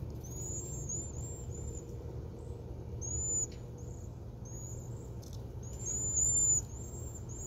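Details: In autumn, several cedar waxwings perched in a crab apple tree give very high, thin, lisping trills in overlapping bursts, over a steady low rumble of distant traffic.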